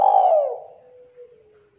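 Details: Spotted dove giving a single full-voiced coo that starts loud and slides gently downward, then fades into a long, soft, low trailing tone in a quiet room-like setting with no other sounds.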